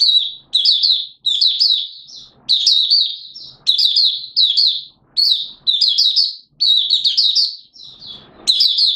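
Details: A Malaysian Oriental white-eye opening into song in warm, humid Singapore weather with sudden showers, 29 March 2023, sings rapid, high twittering warble bursts of about a second, almost without pause.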